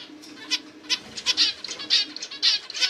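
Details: Zebra finch making short, sharp, high chirps repeated about every half second, some doubled, over a faint steady low hum.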